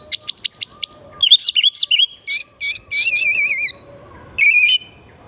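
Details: Oriental magpie-robin song used as a lure to stimulate singing, wild forest style: a run of sharp rising chips, then warbling whistled phrases and trilled, wavering notes with short pauses between.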